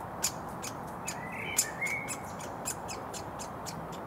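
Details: Hungry woodpecker fledgling in a Surrey front garden beside a road, June, begging as a parent feeds it: a rapid series of sharp, broadband chipping notes, irregularly spaced, with a couple of brief rising squeaks and steady low traffic hum.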